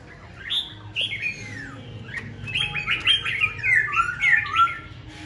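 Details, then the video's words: Tame caged Black-throated laughingthrush that sings all day, giving a lively run of varied whistled and slurred notes. Rapid bursts of rising and falling phrases build toward the end, over a low indoor hum. "Khướu bạc má thuần hót cả ngày"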